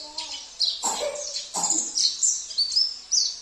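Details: Oriental white-eye song in a therapy recording with fills of canary, cililin, kapas tembak and jenggot songs: high, thin, rapid twittering phrases with sliding notes, broken by two brief lower-pitched rough bursts.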